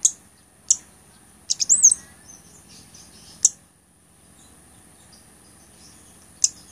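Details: Blood-breasted flowerpecker, a recording used as tutor and lure audio, gives very high, sharp ticks and a brief twittered burst, spaced irregularly over several seconds, above a steady thin high whine.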